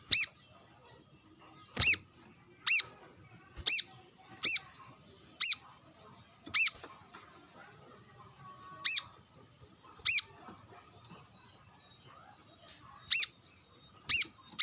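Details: Brown-throated sunbird out sunbathing, calling to wild birds: loud, sharp, high chirps repeated roughly every second, with gaps of a few seconds, over a quiet background.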